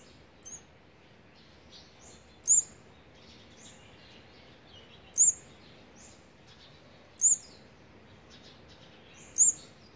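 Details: Olive-backed sunbird, fourth brood on its eighteenth feeding day, 8 March 2020: a faint chip, then four strong high-pitched chips about two seconds apart, with softer thin notes around them and steady hiss.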